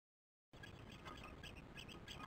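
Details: Osprey at its nest on a webcam, 22 July 2015 at 19:08, giving alarm during a poor chick feeding before flying out; rapid, shrill chirped notes repeat over steady low wind-like rumble.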